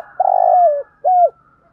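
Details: Spotted dove lure bird calling to rouse wild doves to fight. A long, slightly rough coo sliding downward, a short pause, then a shorter clipped coo that dips at its end.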